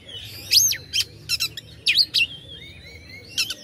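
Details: Oriental magpie-robin song for provoking rivals: a few loud sweeping whistles and harsh buzzy notes, then a long thin drawn-out whistle, low hum underneath.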